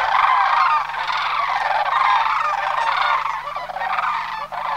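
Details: During the September 2009 autumn migration at Homer, a flock of sandhill cranes produces a dense, unbroken chorus of rolling, trumpeting calls, with many birds calling at once.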